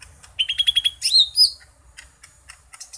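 A green leafbird sings a quick run of six bright, even chirps, then a burst of high, sweeping, buzzy notes, followed by scattered soft ticks.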